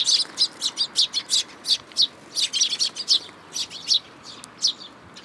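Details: Young sparrow come to a plum tree at a shrine to be fed, June 2022: rapid bursts of high, scratchy chirps, repeated several times a second in clusters with brief pauses.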